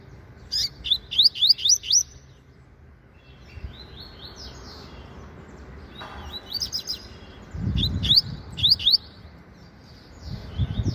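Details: Caged Double-collared seedeater, a promising young bird kept and fed by a breeder, sunbathing in the morning and singing its 'meio canto' style song: bursts of quick, rising, sharp chirped notes in rapid runs, with pauses and low background rumble.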